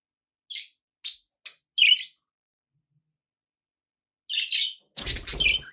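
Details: Pet budgerigars giving a few short, high chirps spaced about half a second apart, a pause of silence, then a louder burst of scratchy chatter with a low thump at the end.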